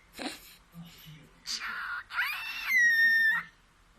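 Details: Pet cockatiel speaking a Taiwanese phrase meaning "kiss": a short breathy syllable, a harsh rasping burst, then a clear whistled tone holding steady near one pitch before fading; faint human voice murmurs underneath in a small room.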